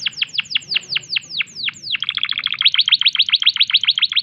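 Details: Canary in breeding condition singing a run of about ten steep falling whistles followed by a quick, repeated chattering trill of bright notes.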